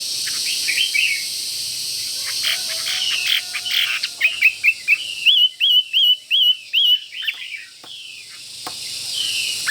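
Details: Caged Chinese hwamei in fighting mood, pecking its cage when near a rival: loud whistled phrases, then a run of six or seven rising-falling whistled notes about two per second, over steady background hiss.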